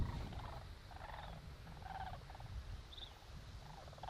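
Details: Distant Sandhill Cranes in the sky over an Alaskan garden in autumn before winter: rolling, rattling bugles, several overlapping calls about every half second to a second, under a strong wind rumble.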